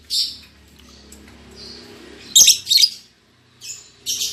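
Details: Newly matched caged lovebird pair, albino MM male and lutino MM female: shrill squeaks and a brief chattering burst over a low steady background hum.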